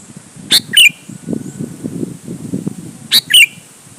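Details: Sooty-headed bulbul used to provoke other bulbuls to reply; two brief phrases, each a sharp chirp then a slurred twisting note, over a low murmur of background noise.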